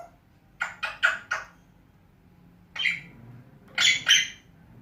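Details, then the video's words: Pet African grey parrot talking, whistling and calling names: a rapid run of four clipped syllables, then a longer rasping note, then two loud bright bursts close together, in a quiet room. "African Grey parrot taking, whistling,calling names"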